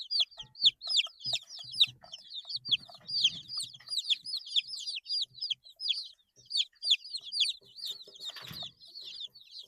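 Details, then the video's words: Chicks aged eight days peep constantly, high sharp down-slurred notes tumbling over each other, with a few low bumps and a brief rustling noise near the end. "Chicks Chirping Sounds - Baby Chicken Sounds"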